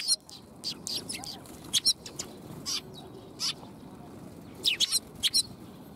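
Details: Sparrows gathering to get food, 20 March 2021, give brief high chirps at irregular intervals, a cluster of quick ones near the end, over continuous low hiss.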